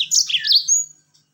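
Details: Yellow-fronted canary song used to draw other birds into singing: a single brief tumbling phrase of high, sweet warbled notes ending in a thin drawn-out whistle.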